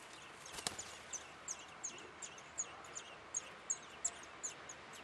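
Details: Feeding time at a Eurasian blackbird nest in a Weert backyard. The nestlings give short, shrill, high begging squeaks at an irregular pace, and a single dull knock sounds early on.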